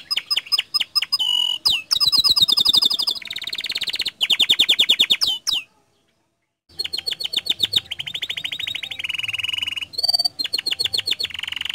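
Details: Canary singing gacor, energetic non-stop song played as a lure for other canaries: rapid clicking trills and rolling buzzy tours, a pause of about a second, then further fast trills and a whistled slur.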